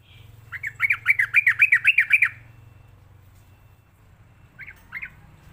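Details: Training lure of a sooty-headed bulbul for teaching young captive birds: one run of about eight rapid, clipped notes, then a pause and two short separate notes near the end, over a faint low hum.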